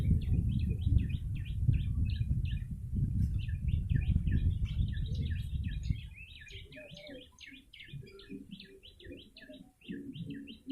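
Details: Lively yellow-bellied prinia chirping used for luring birds: a long run of quick, repeated short notes, with heavy low rumble in the first half that fades, leaving the calls clearer.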